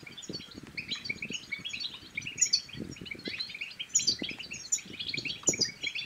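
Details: A goldfinch sings to prompt other goldfinches to sing and mate, recorded in Morocco. Rapid, overlapping twitters and liquid trills run on without a break, with sharp high notes recurring about every second and a half, and a low rustle beneath.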